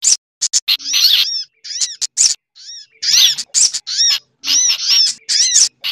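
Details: Combined lure track of sogok ontong (sunbird) and other birds like a chattering bulbul; sharp high chips and clusters of arched whistles in irregular bursts with short silences.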